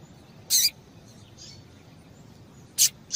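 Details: Female papa-capim seedeater piping meant to excite males into song: two loud, sharp, high chirps about two seconds apart, plus a softer trailing note at the end, against low background hiss.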